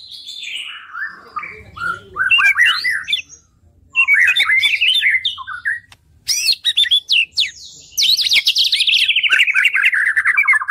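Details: White-rumped shama singing: varied whistled slurs and sharp chattering notes, ending in a long descending buzzy trill. A faint low hum sits in the background.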